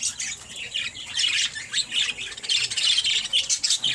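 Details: A six-month-old male parakeet chatters steadily in quick, scratchy, high-pitched chirps and squawks, one call running into the next with hardly a pause.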